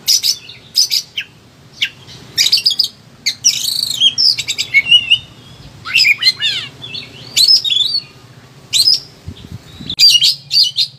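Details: Highly agitated Oriental magpie-robin (kacer) unloading a large repertoire, a recording for training or prompting quiet birds: varied phrases of sharp chips, looping whistles and downslurred notes, separated by brief gaps, faint low hum beneath.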